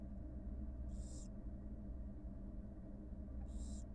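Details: Two raspy, noisy hisses from a wild barn owl at the nest as the mother feeds two newly hatched nestlings, spaced about two and a half seconds apart over a constant low background rumble.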